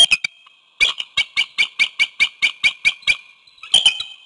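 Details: Wild bald eagle at its nest with one egg near Codorus State Park, Hanover, York County, Pennsylvania, on a February 2021 evening, on a webcam, apparently calling its mate. It gives rapid staccato chattering notes in a rising burst, about five per second, then a short follow-up burst.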